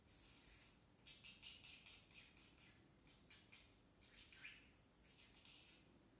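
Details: Still-baby male parrotlet attempting words, mostly "tickle tickle"; faint, breathy high chirps and raspy syllables come in quick irregular clusters after a short opening note.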